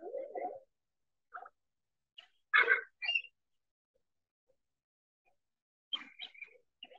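Common Eider giving a low, crooning murmur, then a scatter of short, louder, rougher call notes in irregular bursts over several seconds.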